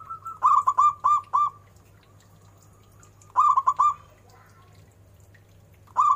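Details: Local zebra dove singing with a big, ornamented voice: loud phrases of four to six quick clipped coos, each trailing into a soft held note, repeated three times with pauses between.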